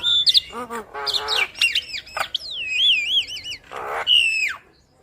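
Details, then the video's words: Javan myna with yellow eyes in full, energetic song with head-bobbing: loud squeaky whistles sliding up and down, wavering trilled phrases, harsh chattering notes and a long descending whistle near the end. "Jalak Kebo Mata Kuning Gacor Manggut Manggut Bikin Burung jalak Kebo Yang Dengar Ikut Gacor Manggut2"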